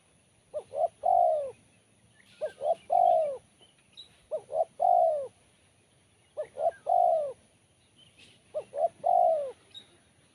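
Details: Spotted dove cooing, its voice described as sharp and crisp, in a low mellow phrase of two short notes and then a long drawn coo that falls at the end, repeated five times about every two seconds.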